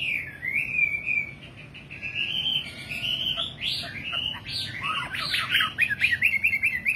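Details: Nightingale song with a steady wavering whistle building into a busier passage of mixed chirps and quick trills near the end.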